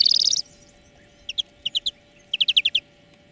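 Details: Greenfinch song lesson for training birds, heard as a brief buzzy burst followed by short groups of two, three, and six clear chirps, over a faint steady hum.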